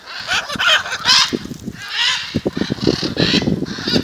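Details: Raucous, strident squawks from a macaw gathering outside a house in Jaumave, Tamaulipas, February 2015, coming in quick ragged bursts with sharp low knocks and rustles underneath.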